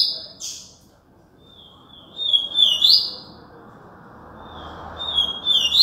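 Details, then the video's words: Yellow-bellied seedeater in Alagoas: a sharp high note, then two whistled-and-twittering song phrases, each a level thin tone running into rapid buzzy chatter, with a faint low background rumble late on. "papa capim"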